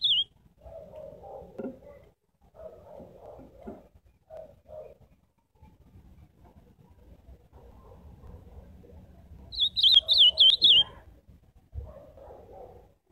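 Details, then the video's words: Ultramarine grosbeak singing one bright warbled phrase of quick, wavering whistled notes lasting about a second and a half. Softer, lower murmuring calls come and go through the rest of the recording. "Canto do azulão ao vivo!"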